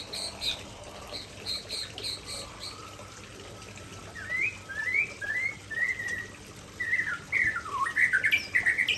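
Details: An Aceh white-rumped shama runs through its favourite fill-in repertoire: soft high chips first, then a series of upslurred whistles, a steady trill and a loud, tumbling finale of varied notes.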